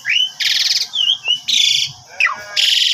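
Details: Black-winged starling lure recording for provoking a reply; three loud harsh buzzy bursts alternate with short whistled slurs and a falling whistle, over faint background hum.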